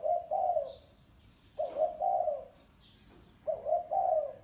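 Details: A spotted dove coos in the thổ sấm style, giving low two- and three-part phrases roughly every one and a half seconds, each ending in a longer husky note.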